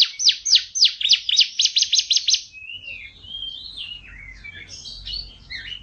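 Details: Yellow long-necked canary with a loud voice, used as a training master: a fast run of sharp descending notes for two seconds, then softer warbled phrases over faint low background hum.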